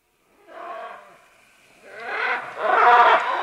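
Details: Several green-winged macaws calling as they descend along vines, harsh raspy squawks growing louder and rougher, the last a long broad screech.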